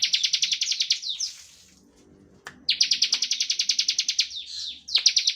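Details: Bar-winged prinia in lively 'ngebren' song, played to provoke other prinias into singing; two long runs of rapid, evenly pulsed high chirps separated by a quiet gap and brief slurred notes.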